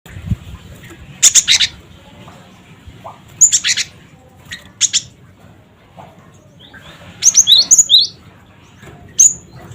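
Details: Cinereous tit (gelatik batu) giving its 'cret cret wucit' call, used as a lure to provoke other birds to call: three clusters of sharp, high, whistled paired notes, a lone whistle at the end, faint low hum underneath.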